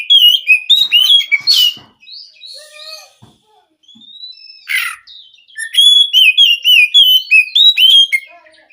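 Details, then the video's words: White-rumped shama in full song: rapid, varied high whistles and sweeping slurred notes in quick repeated bursts, mixed with a few lower whistles and brief scratchy sounds between phrases. "Kacer gacor"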